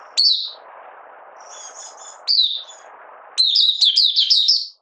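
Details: Opening song of a Malaysian oriental white-eye in minor moult, out of form, recorded 31 July 2023: sharp high chirps, then a rapid run of twittering notes near the end, with constant background hiss.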